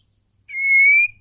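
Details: Female white-rumped shama calling to stir males into song: a single long, pure, level whistle that swells and then breaks off sharply.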